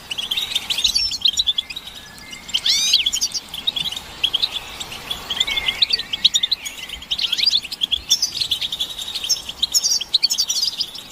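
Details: Several European goldfinches chattering together, a playback used to push silent males into song: bright twittering phrases with rising and falling whistled slurs, steady high chatter throughout, slightly quieter stretches between denser bursts.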